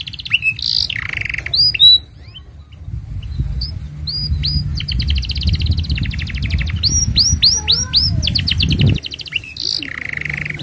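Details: Canary song intended as a master for young canaries and to draw out silent birds: trills and rapid chip series with clear upswept whistles, over a low rumbling background noise in the middle stretch.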